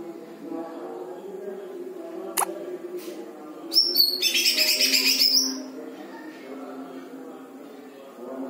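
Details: Chatty greater green leafbird delivering lovebird-style phrases: a single loud outburst of fast, buzzy, high chattering lasting under two seconds, preceded by faint clicks, with a low hum throughout.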